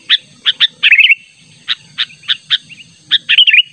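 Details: Sooty-headed bulbul natural call for luring a rival: loud spaced chirps and two short rolling, wavering warbles, one early and one at the end, over a thin continuous whine and low murmur.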